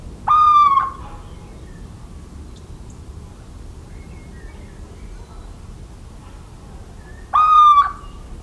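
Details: Little owl singing in farmland of central France on 17 March 2019, two mournful, drawn-out whistled notes about seven seconds apart, with soft far-off chirps and a quiet background between them.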